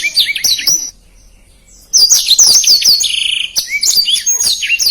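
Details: Fast, tightly packed song of a black-throated canary, kept as a tutor for contest birds: shrill chattering phrases, then a second of quiet, then a dense run of high slurred notes and a buzzy trill.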